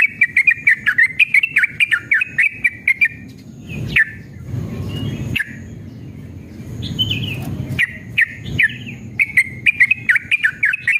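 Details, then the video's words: Yellow-vented bulbul in long, emotional song, pouring out quick bubbly chirps in a long rapid run, pausing midway for a few louder whistled notes before the chatter resumes; used as a lure to make other bulbuls sing. "trucukan gacor EMOSI ROPEL PANJANG"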